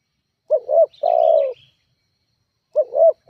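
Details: Spotted dove call used to provoke rival birds: a double-noted coo followed by a long drawn falling coo, then the phrase begins again, with a faint high chirping bird in the background.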